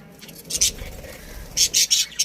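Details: Budgerigar colony with a breeding pair: a couple of short, bright, high chirps, a pause, then a quick run of four scratchy chirps and one last clipped note.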